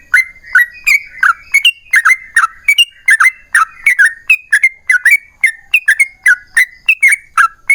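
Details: Rapid bulbul song in the long 'ropel panjang' style, played to coax other yellow-vented bulbuls into singing; dense strings of liquid, slightly descending whistled notes, some rising at the end, with no pauses.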